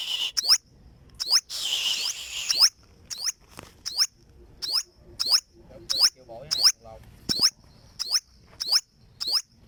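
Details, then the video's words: Olive-backed sunbird (burung madu sriganti) singing a steady series of sharp, thin, high swept notes, roughly one every 0.8 seconds, with one brief hissy burst early on. "Olive Backed Sunbird Singing - Suara Burung Madu Sriganti"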